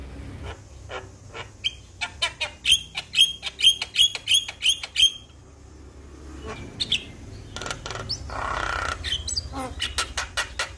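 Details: Male Javan myna calling other mynas that answer: a run of sharp repeated clicking notes with a high whistled tone, a pause, a noisy rasping squawk, then more dry clicks.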